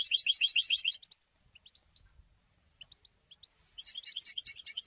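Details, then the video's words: Post-moult goldfinch opens with fast tinkling twitters, drops to scattered soft chirps, then resumes a rapid bright trill. "super goldfinch singing"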